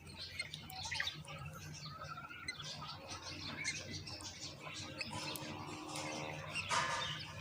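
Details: Baby common mynas at the nest as the mother brings moringa; a busy mix of scratchy chirps and twitters, then drawn-out harsh, buzzy squawks near the end as feeding takes place.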